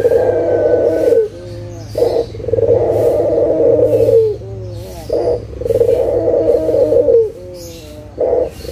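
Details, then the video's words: Steady series of low coos from a local puter (Barbary dove), used to coax silent doves into calling: each phrase is a clipped opening note and a long droning coo, repeated roughly every three seconds over a low hum. "SUARA PIKAT PUTER LOKAL GACOR_SUARA PANCINGAN BURUNG PUTER MALAS BUNYI AGAR BUNYI LAGI"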